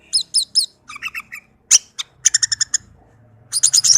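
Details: Tame orange-headed thrush singing to encourage other birds of its kind: evenly repeated paired high notes, a few lower chips, one sharp loud note, then quick runs of bright high notes that end in a dense flourish.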